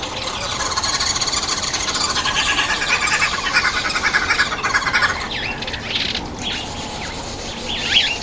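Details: Red-billed wood hoopoe at a feeding table, a very noisy bird: harsh, rapid chattering cackle running for about five seconds, then scattered squawks, over a steady broad background hiss.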